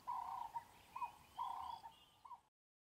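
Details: Martial eagle next to the Crocodile River in Kruger National Park, while collecting nesting material and building a nest, giving five clear, level whistled notes at an uneven pace, some brief and some drawn out, over faint background hiss.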